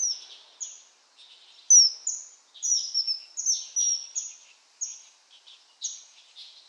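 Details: Common kingfisher calling: a series of high, thin, sharp whistled notes, each falling slightly in pitch, repeated irregularly about every half second. Faint background noise is also heard.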